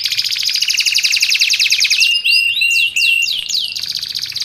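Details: Canary song used to tutor and attract canaries: a fast, dense trill holding steady, then breaking into clear looping downward-curved notes and a brief rattle.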